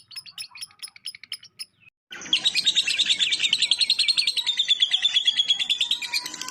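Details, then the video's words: Lovebird ngekek, tembakan kores filler for training other birds: a few scattered high chirps, a brief pause near two seconds, then a loud, continuous rattling trill of quick high pulses to the end. "lb ngekek isian tembakan kores"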